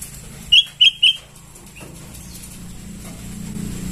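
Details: Begging calls of sooty-headed bulbul chicks, used to lure birds: three quick sharp chirps early on, then steady low background noise.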